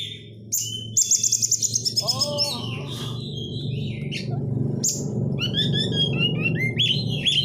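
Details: Oriental magpie-robin lure with dense crecetan chatter: rapid rasping trills and short whistles tumble over one another above a loud, steady low-pitched hum.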